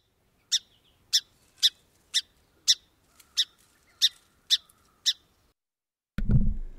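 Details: A Song Sparrow gives its alarm call, nine sharp, even, aggressive notes, one every half second, followed by a low thump at the end.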